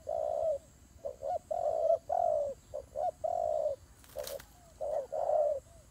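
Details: Doves fighting, giving full hollow coos and quick short ones in bursts, broken by a sharp rustle or scuffle partway through.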